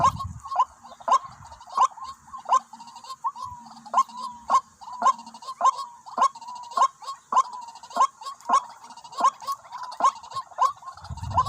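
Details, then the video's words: White-breasted waterhen lured with a decoy, two birds coming to one spot: loud, harsh, nasal notes repeated steadily almost twice a second, each a short sharp stroke, with faint low rumbling at start and end. "ต่อ นกกวักหมายเดียวเข้า2ตัว"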